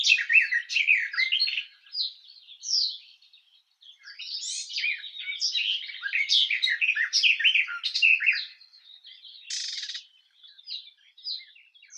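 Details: Garden warbler singing in bursts of fast, mellow warbling mixed with short chattering phrases, broken by several brief pauses, with one rasping note partway through.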